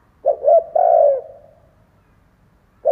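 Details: One complete low hooting phrase from a decoy spotted dove used to rouse other doves: two quick notes and then a sustained, slightly wavering coo, with the first note of the next phrase starting at the end.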